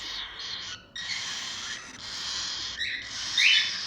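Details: Cockatiel chicks giving continuous harsh, hissing, raspy calls in long unbroken stretches with brief pauses, rising louder near the end.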